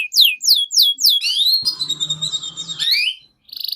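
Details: Canary singing, played to help young canaries learn: quick downslurred notes repeated about five times, a sustained wavering warble with a low hum underneath, then a short buzzy trill.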